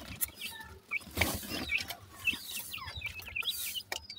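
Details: Grey francolin (teetar) chicks squabbling with their mother after feeding: thin, high peeping notes repeated irregularly, nearly two a second, among clucks and scratchy rustling.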